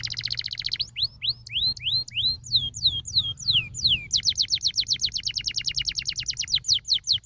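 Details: Training song for young canaries, sung by a canary: a brief rolling trill, then varied whistled sweeps rising and falling in quick succession, ending in a long, fast, steady trill of repeated notes.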